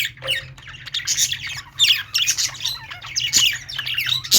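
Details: Caged budgerigars in a shop keep up a busy twittering babble of squeaks, zips and harsh squawks, several birds calling at once above a constant droning hum.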